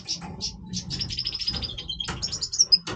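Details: Breeding-voice song of a Major European goldfinch: quick buzzy, nasal notes strung into a fast series, then sharp high tinkling notes, with a constant low hum underneath.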